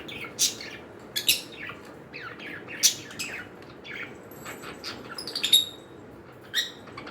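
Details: Pet cockatiels giving clear, high chirps and harsh squawks at irregular intervals, several loud sharp notes scattered through the clip, with a cluster of rapid calls near the end and a quiet background.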